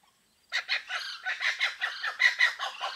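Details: Blue-winged kookaburras calling in woodland of Kakadu and Arnhem Land, Australia, with maniacal, angry-sounding cackles. After half a second of silence, harsh raspy notes burst out in a fast uneven series, several per second, loud and continuous to the end.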